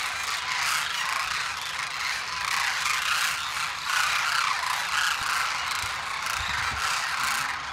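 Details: A winter gathering of wild demoiselle cranes (koonj) at Khichan, Rajasthan, calling together as an unbroken, churning wall of rolling, croaking voices, loudest around the middle, with faint low thumps near the end.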